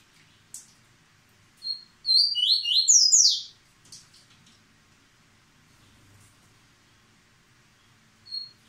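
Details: A yellow-bellied seedeater, still showing its speed while moulting, bursts into a rapid, high run of sweet, tumbling notes lasting about a second and a half, with a few scattered thin chirps before and after.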